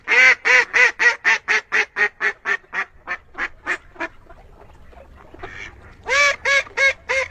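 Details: Duck giving a long train of rapid nasal quacks that gradually soften and trail off, a quiet pause, then a fresh burst of four loud quacks.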